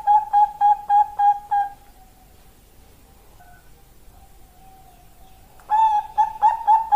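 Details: Bangkok zebra dove, a female calling a male, as lure material: a rapid burst of staccato coos, a quiet stretch with one faint trailing note, then the quick, bright cooing starts again.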